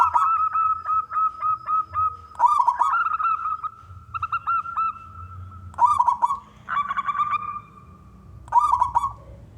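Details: Local wild zebra dove, a frequent singer with a big voice, used to lure other doves into singing: level cooing notes broken by quick stuttering pulses, with short bursty rolls recurring every few seconds.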